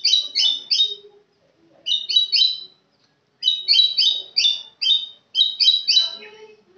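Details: White-rumped shama of the Kenyir type singing bursts of bright, buzzy, high notes in quick triplets, three phrases separated by short pauses, with faint low chatter beneath.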